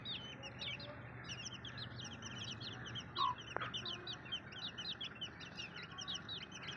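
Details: A flock of baby chicks gives rapid, overlapping peeps that slide downward. A single sharp tap sounds halfway through.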